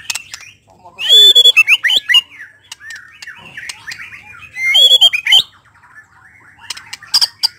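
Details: White-rumped shama singing, a sound meant to draw another shama into quickly unloading its repertoire; loud harsh squawky phrases mixed with sliding whistles in two dense bursts, separated by softer chattering.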